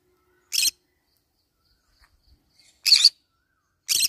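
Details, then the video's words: While eating banana leaves, a green-cheeked conure lets out three brief, harsh, raspy squawks spaced a second or two apart, with near silence between them. "green cheek conure cute bird sound"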